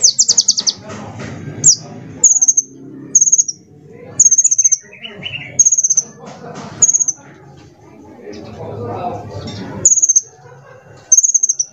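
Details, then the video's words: Sunbird, a bright small bird used as a lure for other songbirds' singing; short high-pitched trilled bursts every second or so, separated by pauses, over low murmuring background noise. "KOLIBRI GACOR // PANCINGAN MASTERAN TERBARU"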